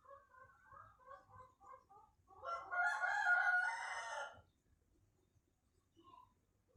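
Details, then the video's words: Pelung chicken rooster, whose crow is said to lengthen and grow more melodious with winding cengkok inflections as it matures: a run of soft rhythmic clucks, then one loud, rich, harmonic crow of about two seconds, then quiet. "PERKEMBANGAN SUARA AYAM PELUNG"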